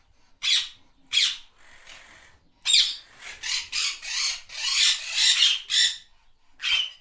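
A parrot gives harsh, raspy squawks, two short bursts and then a rapid run of about eight grating screeches over five seconds.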